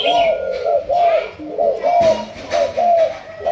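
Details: Malaysian spotted dove of the 'thúc gù' cooing line, kept for decoy training, gives a regular series of mid-pitched coos, some rising slightly at the end, against a faint clicking background.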